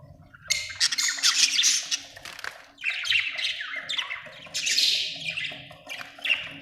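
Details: Budgies chirping, a dense stream of buzzy, harsh warbled notes and squawks with falling slurs, loud bursts recurring every second or two, over a faint steady low hum.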